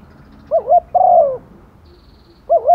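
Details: Rainy-season calling by a female spotted dove, used as a decoy to draw males: a wobbling double coo and a long falling croo, then another double coo starting the next phrase. A faint high thin note is in the background.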